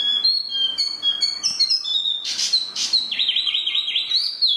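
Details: Spot-throated babbler, called tieu mi, singing high pure whistles, followed by a burst of harsh noisy notes and a rapid warbling trill of rolling whistled notes.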